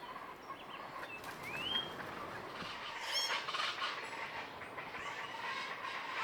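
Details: Plain chachalacas, loud and social, give a harsh, raucous, rapidly repeated morning chorus in trees by a palapa in Sierra Madre jungle along Banderas Bay, Mexico, with a few thin whistles from other birds rising above.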